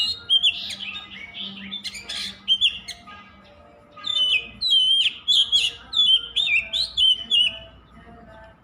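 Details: Oriental magpie-robin song, bursts of loud whistles and scratchy notes, a quieter pause, then a long run of sweet slurred whistles and sharp chips.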